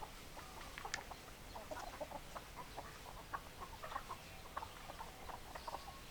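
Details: Chickens, hens and roosters, in a flock: a dense, steady chorus of short, overlapping clucks, rapid and irregular, with a few louder sharp notes standing out, and no quiet gaps throughout.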